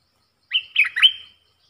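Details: Caged bulbul singing in a duel with wild birds, 03/10/2564. One brisk phrase of three liquid, warbled whistle bursts runs about a second, ending in a trailing note. Nothing else is heard.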